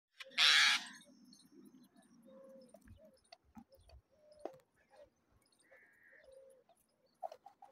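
Young mynas begging: one loud harsh screech, then low buzzy rasping and scattered short squeaks and whistled notes, fairly quiet overall.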